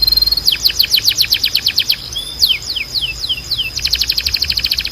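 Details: Canary training song: a rapid series of high descending sweeps, a few slower drawn-out downslurs with a thin whistle, then a dense, fast trill to the end, over constant background hiss.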